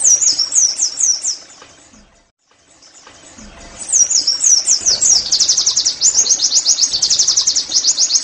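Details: High twittering song of an Oriental white-eye meant to spur caged birds into singing: a short slurred phrase, a silent break, then a long, fast, rolling trill of rapid chirps.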